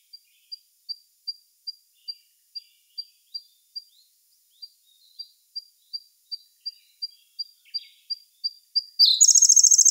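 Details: Siberian blue robin in May 2021: a long series of thin, high, evenly spaced ticking notes, about two per second, with one loud, fast, high trill bursting in right at the end.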